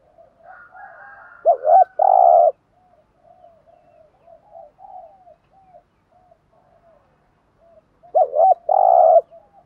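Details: Spotted dove lure cooing in thúc gù style to provoke wild doves: a loud double note plus long buzzy coo, a long stretch of soft scattered coos, then the same loud phrase repeated.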